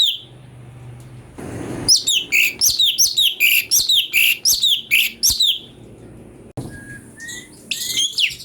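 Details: Cucak cungko used as a master voice for magpie-robin training, giving a lively burst of about fifteen quick, ringing chirps after a brief rustle, then a quieter gap with a few thin whistled notes.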